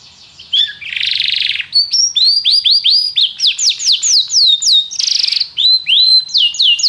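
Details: Canary song used to train a canary to sing: harsh buzzy bursts alternate with a lively series of arching, sliding whistled notes repeated several times a second.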